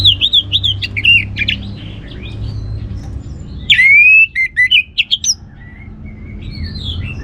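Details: Orange-headed thrush singing, used to provoke other birds to sing: rapid twittering whistles, a bright upslurred phrase, then a quick series of sharp choppy notes, with quieter scratchy notes between and low background rumble.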